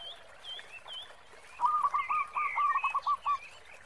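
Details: Zebra dove of local stock with a strong 'khong' voice: after a quiet start, a bright series of about seven quick cooing notes, while thin whistles and chirps from other birds sound over a hissy background.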